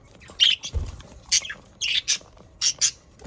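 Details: Budgerigars, pet Australian parakeets near Den Haag, South Holland, Netherlands, chattering: sharp high squawks and chirps in separate bursts, some squeaky and rising, with a low thud early on.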